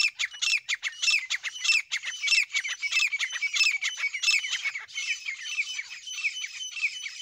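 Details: Grey francolin, called dasi teetar, a pair calling together: loud, harsh squawking notes repeated rapidly in a steady chattering series about one and a half per second, high-pitched and ringing, with no other clear sounds.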